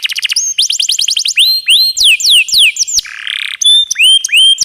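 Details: Canary singing in a masteran recording: fast trills, then swooping downward whistles, a brief rough buzzy patch, and a run of upswept whistled notes.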